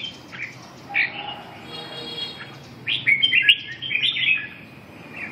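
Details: Red-whiskered bulbul singing short, bright whistled phrases around mid-high pitch, separated by pauses, with a faint background hiss.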